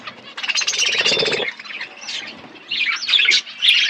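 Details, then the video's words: Budgies chirping during feeding: a rapid buzzy trill of quick pulses, then quieter scattered squeaks, followed by louder whistled chirps and warbles. "Beautiful budgies chirping sounds birds eating food"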